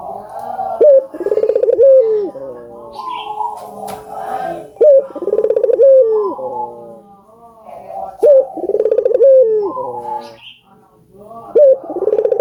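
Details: Albino collared dove in steady song, played to encourage doves to call: bouts of abrupt rising notes and rapid rolling coos with a falling tail, repeated about every three and a half seconds. Softer cooing fills the gaps.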